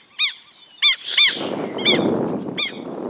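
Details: Southern lapwings (quero-quero), a pair, attacking someone who is filming. Loud, piercing, harmonic scream notes are repeated at irregular intervals, while a broad rushing noise of wind or movement rises midway and partly covers the later calls.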